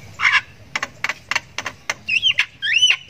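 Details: Javan myna youngster ngriwik while learning to call: a harsh burst, then crisp double clicks at roughly three per second, ending in two wavering upslurred squeaky notes.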